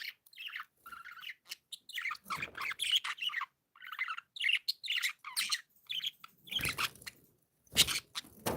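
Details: Happy pet budgerigars chirping busily: dense, overlapping warbles, squeaks and buzzy notes with almost no pause, plus a few low rustling sounds in between.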